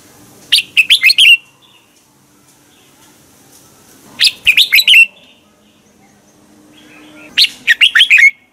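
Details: Red-whiskered bulbul practising its morning song for training: three phrases of five bright, slurred whistled notes, spaced about three seconds apart, in a quiet setting.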